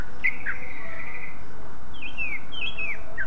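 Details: Greater green leafbird song used to provoke rival leafbirds to sing: a sharp note followed by a long, level, sustained whistle, then several sliding, falling whistles, with low background noise.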